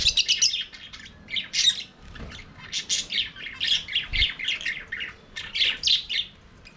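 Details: Flock of budgerigars singing and playing in their aviary, a rapid run of harsh squawky chirps, about four per second, in rhythmic bursts with brief pauses, plus occasional low thumps.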